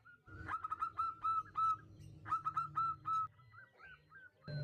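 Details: Female zebra dove calling to a male, heard fairly faintly. Rhythmic phrases of quick stuttered notes end in longer held coos, repeated twice, then a few softer sliding notes with some background noise.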